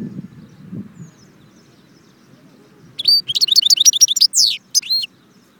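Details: After a couple of seconds of quiet low background noise, a European goldfinch from Constantine's Jbel Wahch bursts into a two-second phrase of fast liquid twitters ending in a descending nasal slur.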